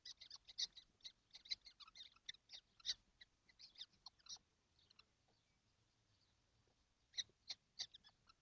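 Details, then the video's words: Seven kestrels crowded together in a nesting box on a hot day, 12 June 2025. Bursts of short, sharp, high chipping notes, quickly repeated. There is a pause in the middle, then a few more chips. "Kestrels - all 7 in the nesting box - it's hot"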